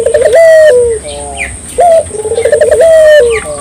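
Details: Barbary dove song used to stimulate local doves to sing: a long tonal coo with a steady held note and a dropping tail, then a softer rolling coo, repeated; faint chirps of other small birds behind.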